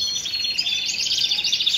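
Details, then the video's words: Male Shirazi Jazri canary kept in Baghdad, said to be ready for mating, delivering dense high-pitched trills, fast rolling repeated notes blending into a steady bright warble without pause. "كناري شيرازي جزري فول تغريد جاهز للتزاوج"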